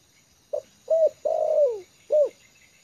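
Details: A tame decoy spotted dove, calm on the ground in a yard, gives one complete low phrase: a clipped opening note, an arched coo, a long sliding croo that drops in pitch, and a final rounded coo.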